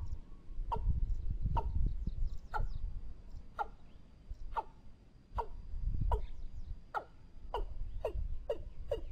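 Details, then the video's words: Watercock (kept decoy bird used to lure others) giving a series of hollow, downward-sliding notes about one every three-quarters of a second, over a steady low rumble and a faint high whine. "ต่อนกอีลุ้มหมานๆ ชุดต่อเสียงหมานขึ้นเร็ว"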